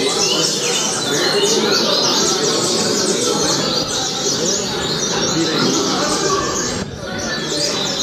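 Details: A captive Double-collared Seedeater (coleiro) sings the "Altas Horas" song type: fast, continuous high warbling packed with rapid twittering notes and brief buzzes that run almost without pause.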